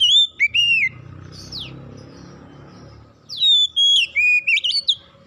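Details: Oriental magpie-robin song played to trigger untrained magpie-robins into singing: clear looping whistles, a falling sweep, a stretch of low rumbling noise, then a lively run of high whistled notes rising and falling.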